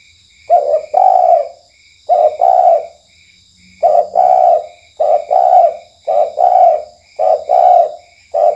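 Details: Night lure calling of a spotted dove (tekukur, kuk type): a run of about seven mellow two-part coos, each short lead note running into a longer hollow coo, spaced roughly a second apart, with a steady background whine.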